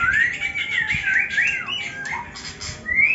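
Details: Murai batu, or white-rumped shama, singing: rising and falling whistled phrases that slur up and down, break into a short dropping note, then resume as a high steady whistle after a pause, with light background noise.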